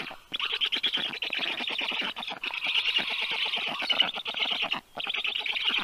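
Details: Rescued black stork chicks, 30 days old, stuffed with food at a Tartu clinic in Estonia on a June afternoon; shrill, rasping, fast-pulsed begging in long runs with brief breaks.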